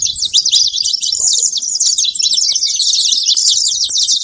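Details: Continuous high-pitched twittering from a saffron finch, quick scratchy chirps packed tightly together for the whole stretch.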